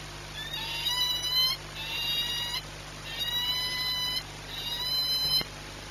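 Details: Peregrine falcon, Płock, Poland, 22 March 2021, 14:39: four harsh, upslurred harmonic calls about a second apart, with a faint click near the end and steady background hum.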